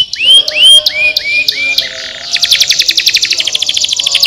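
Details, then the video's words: Canary singing, meant to encourage lazy canaries to sing: several clear rising whistled notes, then a rapid, even, buzzy trill that rattles on to the end. "estimulando o som de canários preguiçosos cantando"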